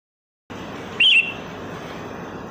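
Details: Lure recording of a sooty-headed bulbul: a single brief whistled phrase, warbling up and down, standing out against a constant hissing background.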